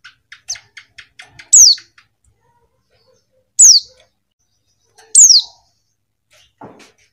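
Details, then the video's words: A female white-eye delivers bright downward-sweeping calls at uneven intervals, opening over a quick series of soft clicking pulses, with a low rustle near the end. "suara pleci betina"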